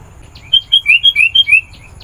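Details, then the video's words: Sooty-headed bulbul singing energetically to call in wild birds of its kind: a bright phrase of about seven whistled notes, some flat and some rising, delivered rapidly in just over one second, with a steady quiet hum beneath. "Suara Burung Kutilang Gacor, Memanggil Kutilang Liar"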